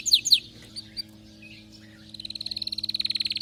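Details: Canary in excited song: a couple of sharp high chips, a quiet stretch with faint notes, then a rapid, steadily swelling high trill to the end.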